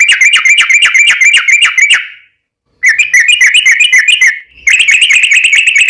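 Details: Lure song of a sooty-headed bulbul meant to prompt other bulbuls to answer, given as rapid, long rolling trills of bright whistled notes in three bursts separated by brief silences.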